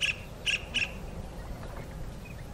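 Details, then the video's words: A kingfisher calling its mate: three short, sharp, high piercing notes in quick succession within the first second, then a few faint softer chirps, over a low steady background rumble. "tiếng chim bói cá gọi bạn"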